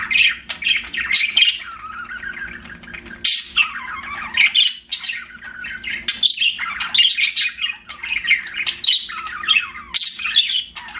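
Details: A budgerigar warbles and chirps, mixing sliding whistled notes with harsh squawks and quick clicks in a rambling chatter, other pet birds faintly joining.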